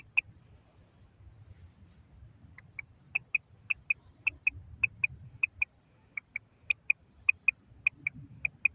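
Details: Female common quail giving sharp, clipped paired notes. One lone note comes first, then after a pause a steady run of about ten evenly spaced double clicks. A soft low rumble runs underneath.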